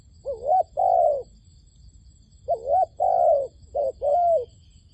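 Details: Dove calling as a decoy to lure wild doves into a trap: two low cooing phrases, each a short wavering note followed by a longer steady coo, separated by a pause in an otherwise quiet setting.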